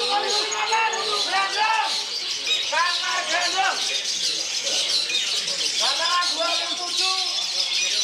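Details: At a songbird contest in Yogyakarta on 1 May 2022, a prize-winning Long-tailed shrike sings a fast, varied run of squeaky, arched chirps and mimicked phrases in bursts, over other birds and human chatter.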